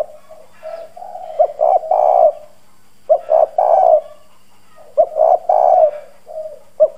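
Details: Spotted dove decoy in hoarse country-style voice, cooing vigorously to lure wild birds: soft lead-in murmurs then husky three-note coo phrases repeated about every two seconds, with a faint hum behind.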